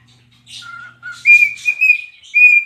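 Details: Singing pet cockatiel, dancing and rubbing its tail: a soft low whistled note repeated twice, then higher steady whistles broken by breathy, scratchy bursts, ending in a loud clear held whistle.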